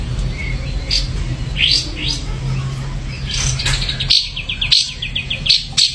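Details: Ashy drongo singing: scattered sharp chirps and upslurred whistles near the top of its range, then a fast run of short, evenly spaced high notes, over a low steady hum.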